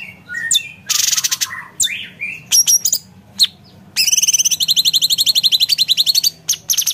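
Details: Blue-winged leafbird (cucak cungkok) song used as a tutor recording for competition birds: high chattering phrases, a buzzy burst, then a fast series of rapid, evenly spaced sharp notes over the final three seconds.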